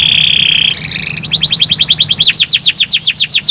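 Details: Canary song used to make other canaries sing quickly: a steady high whistled tone, a brief lower note, then a fast series of descending whistled notes repeated several times a second, with low background hum.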